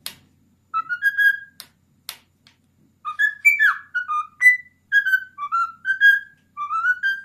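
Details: Male cockatiel aged ten, a house pet, whistles the Addams Family theme: a brief phrase, a few sharp taps, then a long sequence of clear whistled notes stepping up and down the melody in a small room.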